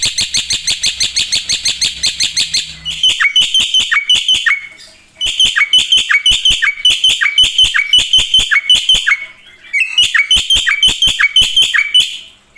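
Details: Black-winged myna in energetic song packed with mimicry, used to tutor songbirds; a rapid rattle gives way to repeated phrases of sharp clicks and bright whistled notes with short pauses between.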